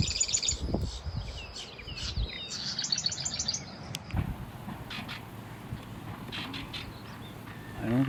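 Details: A marsh wren, heard but not seen in spring in coastal marsh on Fripp Island, South Carolina, gives quick, buzzy, high rattling bursts over the first three seconds, then softer chatter, while people talk quietly in the background.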